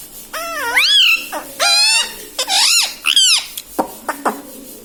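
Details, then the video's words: Pet ringneck parrot indoors talking mummy papa: a run of five or six shrill, voice-like syllables with wavering pitch, rising and falling, separated by short pauses, followed by a few sharp clicks. "talking parrot mummy papa"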